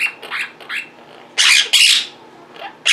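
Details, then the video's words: Pet Quaker parrots indoors, vocal while their owner edits at a computer: short harsh broadband squawks in bursts, two loud ones near the middle and one at the end, with softer chatter between. "Quaker Parrots Being Very Vocal and Mimicking"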